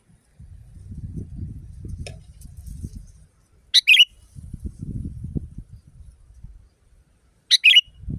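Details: Loud sooty-headed bulbul in a natural setting. It gives two piercing double chirps almost four seconds apart, each a sharp burst sliding into a slurred note, against recurring low rumbling noise.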